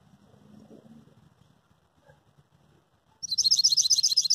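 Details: Saffron finch held in the hand, singing: after quiet low rustling, a sudden loud run of rapid high buzzy trilled notes repeated about four times a second.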